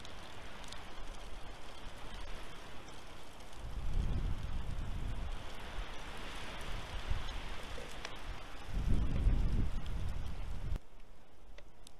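Only rain and wind noise with low rumbling gusts is heard, and no animal calls.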